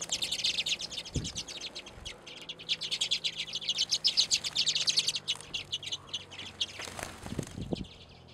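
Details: Several redpolls gather at a winter seed feeder in Anchorage, Alaska, in February, keeping up fast, high, buzzy chip notes and short rattles for about six seconds. The calls then thin out among a few soft knocks and rustles.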